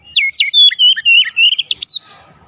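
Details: Oriental magpie-robin (kacer) gacor song used to coax a silent bird: a fast, unbroken string of sweet whistled notes sliding up and down, ending in a soft hiss.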